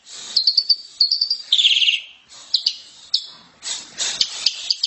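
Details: Asian pied starling song for training caged birds, loud and shrill: short high trilled bursts and a rattle, separated by pauses, followed by scattered sharp, high chips and a noisy, buzzy phrase.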